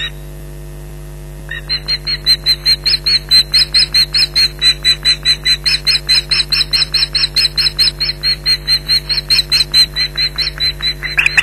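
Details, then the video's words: Osprey pair at their Loch Garten nest, 15 July 2011, both shouting at an intruder; after a short quiet start, a long unbroken volley of rapid, shrill, evenly spaced yelps over faint hum. "Intruder Alert"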